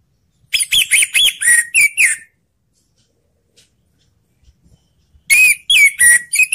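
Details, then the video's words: Orange-headed thrush singing to stimulate reluctant thrushes to join in: a rapid run of about eight loud, clear whistled notes, some sliding downward, then two seconds of silence and a second similar fast burst. "suara anis merah/ untuk mendongkrak anis macet jadi ikut bunyi"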